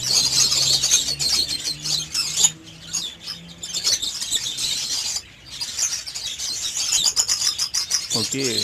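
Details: Budgerigars in mating season twitter rapidly in high, buzzy chirps; the chatter briefly drops away midway before resuming densely, with a low hum in the background.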